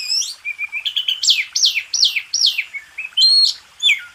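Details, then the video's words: White-rumped shama (kacer) master song for contest birds; a series of loud steeply descending whistles repeated about twice a second, ending with higher ringing notes. "MASTERAN SUPER MEWAH‼️JUARA KONTES.NO1"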